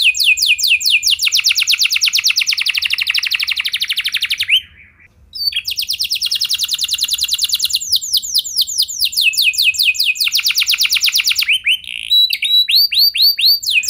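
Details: Long, continuous canary song used to coax other canaries into singing: dense, very fast high trills switching between several phrase types, one brief pause midway, then more rolling repeated notes and rising slurs near the end.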